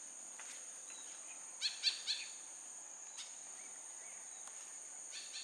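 White-breasted Woodswallows give three harsh, nasal notes in quick succession, with fainter calls scattered around them over a steady high insect drone.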